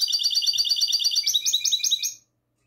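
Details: Goldfinch hybrid singing classic song, recorded the night of 22 March 2020; a rapid, even series of high bright repeated notes shifts into slower, fuller twittered phrases before stopping abruptly.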